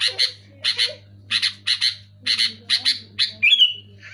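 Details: Sooty-headed bulbul calling loudly: a steady series of harsh paired chirps, about two per second, finishing with a brighter whistled slur that drops in pitch, with faint softer calls and a low hum behind.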